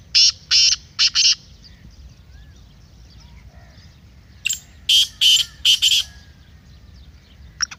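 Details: Black francolin calling, used to get a kept francolin ready for chakri. A three-note harsh burst is followed, after about three seconds, by a fuller five-note rasping phrase, with faint whistles between them.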